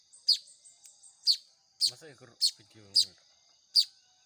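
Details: Baya weaver nestlings during hand-feeding utter loud, thin, high chirps at about one per half-second, with softer twittering between them and a person's voice speaking briefly in the middle.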